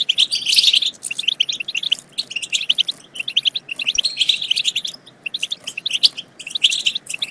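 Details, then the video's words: Stimulation song of the European goldfinch for prompting singing and mating. A loud opening trill is followed by lively runs of quick, high chirps separated by short pauses. "بتبتة تجنن الحسون وتفقده العقل بتبتات خرافية في تحفيز الحسون على التغريد بتبتة تخرج حسونك عن السيطرة"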